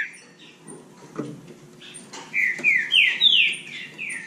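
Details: Competing Bahia saltator giving a short run of loud slurred whistles that rise and fall, following a quieter stretch with faint clicks and background hiss.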